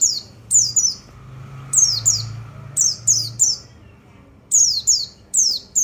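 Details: A white-eye (pleci) repeats piercing downslurred notes, usually paired, separated by gaps of about half a second. A soft low rumble lies underneath. The recording is meant to stimulate other birds.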